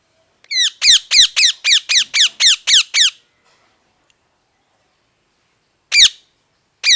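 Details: Parrot squawking in a rapid run of about ten harsh, rising-falling notes over roughly two and a half seconds, then silence and two more single squawks, with nothing else heard.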